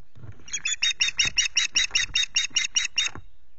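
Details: On a 19 April morning, an Osprey at the Loch Garten nest sounds off during intrusions. A long, steady string of about fourteen shrill, whistled piping notes comes rapidly, several per second, over a soft background.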